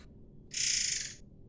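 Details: Energetic Sumatran air mancur bird, a lure for training white-rumped shamas, giving one loud, even, hissing rush of sound lasting under a second.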